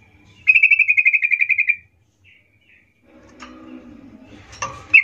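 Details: Sooty-headed bulbul song used as a lure to call companions: a rapid trill of about a dozen clear repeated notes lasting just over a second, then quiet rustling and a short sharp note at the end.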